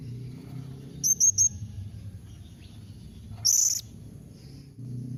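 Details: Blue-crowned hanging parrot calling to set other parrots answering: a quick triplet of high, thin notes, then after a pause a longer, harsher buzzy shriek; faint low hum beneath.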